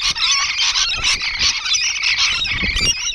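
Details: Rainbow lorikeets perched on a wall, a continuous dense chorus of harsh, high screeches and chattering squeals overlapping with no pause.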